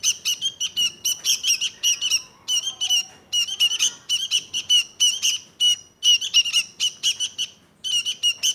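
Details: Sooty-headed bulbul of Indonesia (kutilang) chattering in fast clusters of rough, squeaky notes, separated by brief silences, sharp and high.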